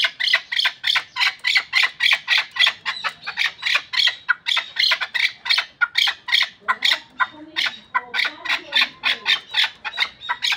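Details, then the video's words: Long, fast and relentless series of loud, raspy chucks from a Pamir hunting chukar, roughly three per second, with some low background murmur in the later part. "Кабки Помир шикори"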